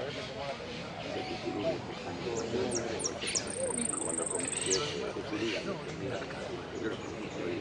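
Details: Competition hooded siskin, 'amarillo sin cierre' style, Pirán contest 15-01-17, fifth place: a few quick high chips lead into a sustained level metallic trill lasting about a second, with people talking throughout.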